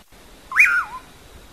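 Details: One "amanhã eu vou" whistle of a common pauraque: a steep rise, a short level part, then a slurred fall, with a quiet background.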